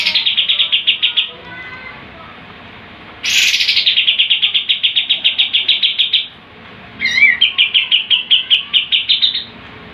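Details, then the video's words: Sooty-headed bulbul giving its 'tembakan' shooting-style song: long runs of very rapid, repeated bright notes, around eight per second, in three extended bursts separated by brief pauses. "KAPAS TEMBAK GACOR, GURU VOKAL TEMBAKAN JUARA."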